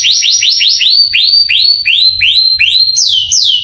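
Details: Male canary tutor song used to excite young canaries so they answer and sing readily; loud, high sweeping notes that rise then glide down, repeated almost three times a second, the last two pitched higher.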